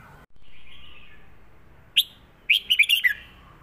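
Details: Caged red-whiskered bulbul singing a southern Thai style song with trills, used to teach other birds: a faint drawn-out warble, a lone sharp note, then a rapid run of five bright, bubbling notes.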